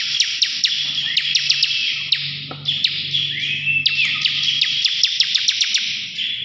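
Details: Bar-winged prinia (ciblek) in extended ngebren song, offered as a prompt for other birds: high continuous buzzing, frequent sharp clicks, a couple of rising whistled slides, and a faint low hum beneath.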